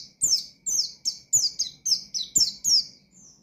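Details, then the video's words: Oriental white-eye singing to provoke rival birds: eight high, rapid downslurred whistled phrases, each sweeping down sharply, spaced about every third of a second, ending with a softer trailing note. "Burung Pleci Gacor Ngalas Nembak Mangil Lawan,Memicu Emosi Pleci Bahan"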